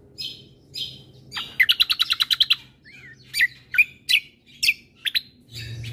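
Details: White-eye combo song, a mix meant to rile up listening birds: buzzy bursts, then a fast run of about ten bright repeated notes, followed by scattered sharp whistled slurs, over a low steady hum.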